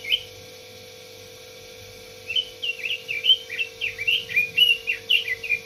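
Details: Red-billed leiothrix bursting into song after a near-silent stretch: a quick, cheerful series of rising and falling whistles, roughly two notes per second, over a constant faint hum.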